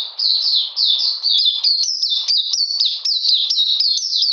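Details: Oriental magpie-robin singing in cold, rainy weather on 13 June 2020: a fast, continuous run of high, sweet, downslurred whistled notes, each phrase quickly repeated, with faint lower chatter beneath.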